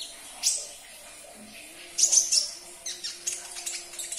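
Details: Sunbird song used to prompt a quiet caged bird to sing: a single thin chirp, a pause, then a cluster of high twittering notes and scattered sharp tweets.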